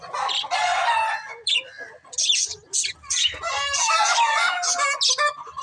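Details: Several budgies chattering loudly in long, dense, harmonic warbles mixed with raspy squawks and squeaky notes, pausing briefly between bursts.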